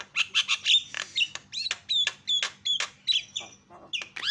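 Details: Javan myna sound used as a lure for other mynas: rhythmic harsh notes alternating with crisp downward whistles, repeated at a steady clip, ending on a rising whistled slur.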